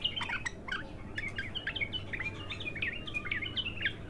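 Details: An untrained bulbul in its first session of song delivers a continuous stream of quick twittering notes, some sliding downward, with a low background hum throughout.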